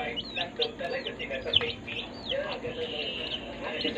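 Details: Healthy baby chicks kept in a brooder chirp constantly, high whistled peeps that slide downward, several birds calling over each other, with faint human speech in the background.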